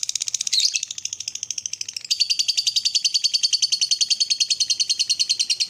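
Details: Lovebird ngekek, a long morning chatter meant to provoke other lovebirds to trill: rapid high scratchy pulses about three or four per second. The notes briefly blur near the start, then settle into a steady, louder run.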